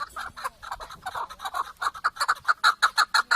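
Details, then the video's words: Chukar partridge call: a rapid train of harsh chuck notes that become sharper and more regular toward the end, roughly three per second. "Keklik en güzel keklik sesi"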